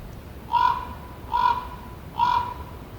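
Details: Common raven producing three coarse, throaty croaks spaced about 0.8 seconds apart, steady and evenly pitched, with faint hiss underneath.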